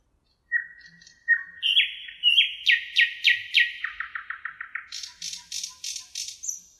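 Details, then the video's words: A thrush nightingale (Luscinia luscinia) by the Emajõgi river, Tartu, Estonia, on 1 June 2018, sings a loud, varied phrase: low piping notes, then rapid clicking strokes speeding into a rattle, ending in high ringing notes. "Ööbik Tartu emajõel 1.06.2018 - nightingale, Luscinia luscinia"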